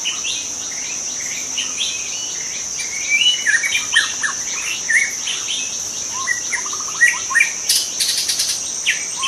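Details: Wild juvenile white-rumped shama from the forest giving a rapid jumble of chirps, slurred whistles and trills that grows busier after three seconds, against a constant shrill cicada-like hum.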